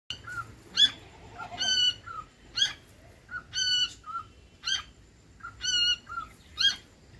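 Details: Pet cockatiel vocalizing: loud, sharp harmonic chirps repeated roughly every second, mixed with short whistled notes between them, over a faint low background hum.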